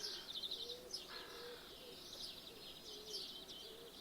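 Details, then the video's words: Birds singing in the morning through an open window: high jingling trills, a short descending chirp, and a low cooing note repeating about every second, over a constant background hiss. "Woken Up By Birdsong"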